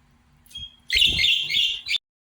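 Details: A young budgerigar, about 10 weeks old, gives a burst of harsh, high chattering chirps lasting about a second.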